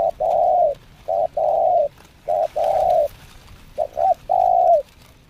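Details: Cooing of a spotted dove during its second training session as a decoy bird: three phrases of short soft notes followed by a long, slightly falling coo, close and clear against mild background noise.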